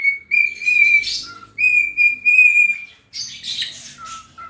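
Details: Singing pet cockatiel rubbing its tail as it dances: two long steady whistles with a raspy burst between them, then a stretch of harsh chatter and short low whistled notes, over faint low rumbling.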